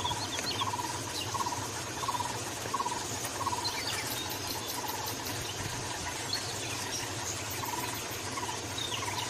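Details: Taiwan barbet in Bogor giving low, hollow notes repeated about every two-thirds of a second, over a steady background hiss with faint high chirps from other birds or insects.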